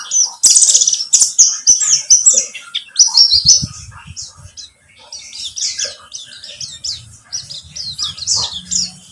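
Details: Pleci buxtomi white-eye twittering song, played to coax a bird to sing: a loud opening burst of high trills, then steady rapid chirps about four each second, with a low hum in the background.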